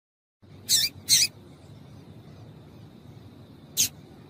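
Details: Female double-collared seedeater calling to prompt males to sing: a quick pair of high, rasping chips, a pause of over two seconds, then a single sharper chip.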